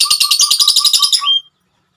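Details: Rapid, buzzy lovebird trill from a female, under two seconds long. Closely packed high notes over a steady low pulse end abruptly in one short rising squeak, then silence.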